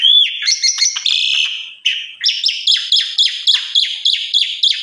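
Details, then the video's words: Asian pied starling song, used as a lure and master song for other starlings: a rich, loud jumble of whistles, chatters and buzzy notes, ending in a rapid series of repeated downslurred phrases about four per second. "Pancingan Suara Burung Jalak Suren BONGKAR ISIAN Suara Istimewa Cocok Buat Masteran Jalak Lain"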